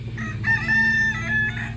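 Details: A Splash Silkie rooster, a breed that seldom crows and crows quietly, gives a brief, fairly soft crow of a few linked, nasal, wavering phrases lasting under two seconds, over a low steady hum.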